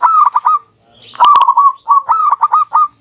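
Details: Duet of two local zebra doves answering each other without pause, used as a double lure: repeated mid-pitched staccato cooing phrases of rapid pulsed notes, interrupted once by a sharp click.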